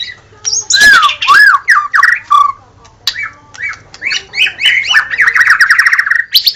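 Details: White-rumped shama in captivity pouring out song: loud looping whistled slurs, harsh bursts, a short pause, then a fast rattling trill of repeated notes climbing toward the end.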